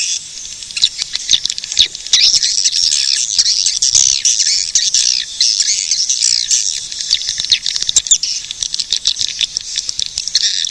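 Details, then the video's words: Swiftlets in a loud, overlapping chatter of shrill twitters and squeaks, broken by scattered sharp clicks. "suara burung walet"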